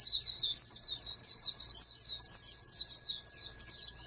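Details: Nearly unbroken high warbling chatter from a captive-bred oriental white-eye raised for national competition, with slight dips in loudness and a quiet electrical hum underneath.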